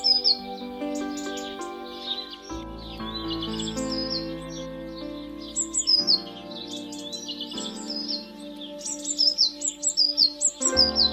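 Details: House sparrow (Passer domesticus), bright, high chirps in scattered bursts, growing busier toward the end, over steady background music; garden feeding station where family groups gather and often exclude blue tits and robins.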